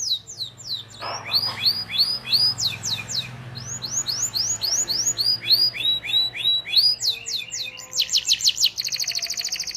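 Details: Training song of a canary for young birds learning to sing: long runs of repeated upward-sweeping whistled notes at a steady pace, shifting to a fast high trill near the end.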